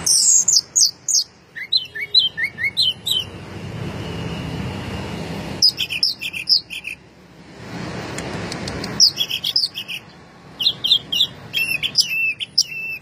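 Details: An orange-headed thrush, said to sing as if drunk, in its winning 'teler' song: sets of quick descending whistled notes, then a quiet hiss-filled pause, then further bursts of stacked, bouncing high notes.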